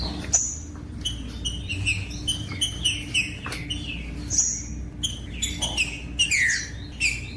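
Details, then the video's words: Green-winged saltator singing strong whistled phrases, loud slurred notes with a steep falling sweep near the end, fast bursts separated by brief gaps, meant to stimulate silent birds of its kind into song; faint low hum beneath. "COM TRINCA FERRO CANTANDO"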